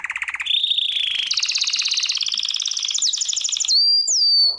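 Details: Belgian canary singing a training song: a low pulsed roll steps up into faster, higher trills, ending in repeated sharp whistled slides.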